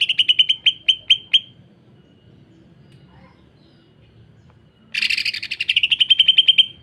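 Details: Harsh rapid song of a greater green leafbird kept as a training bird for other leafbirds: quick high clicking notes at the start, a silent gap, then a dense buzzy rattle settling into a fast even trill.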